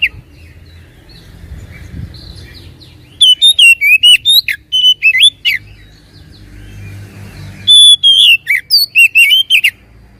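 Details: Oriental magpie-robin song used as a lure to make a reluctant bird sing and answer: bursts of clear, varied whistled notes, some rising and some sliding, in two phrases separated by a quiet pause with faint low rumble.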